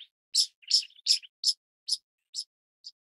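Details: Series of seven sharp, squeaky high chirps from a pied kingfisher, the early ones rasping and chattering, later ones cleaner, more widely spaced and softer.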